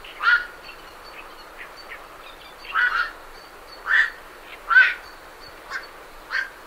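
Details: Night herons departing their roost give a run of six or so gruff, barking croaks at irregular intervals, some doubled, over a faint background of Great Reed Warbler chatter.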